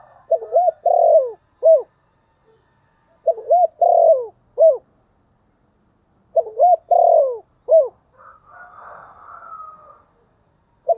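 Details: Spotted dove kept as a decoy, cooing in the thổ style meant to draw in wild birds: three repeated phrases, each a rapid cluster of arched coos followed by a separate short note, with a soft rasping noise between the last phrases.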